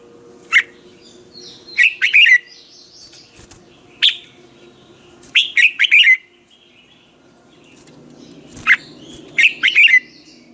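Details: Caged red-whiskered bulbul training its voice in the morning: phrases of a sharp opening note followed by rolling bright chirps, repeated about every four seconds over a faint low hum.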